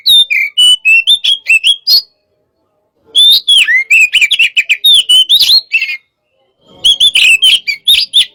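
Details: Hot-type Oriental magpie-robin at pacingan: three bursts of clear, sweeping whistles and sharp ticks, separated by silent gaps of about one second.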